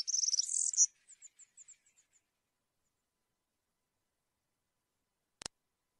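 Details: A European serin gives a fast, very high, jangling burst of wild-type (campero) song, used to tutor young serins, that trails off into a few thin, evenly spaced notes; a single faint click follows in silence.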